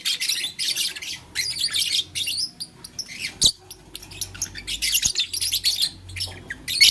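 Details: Blue, lutino and green lovebirds playing with a flower. Dense, continuous high chirping and twittering in overlapping bursts, with occasional sharp clicks and a faint low hum.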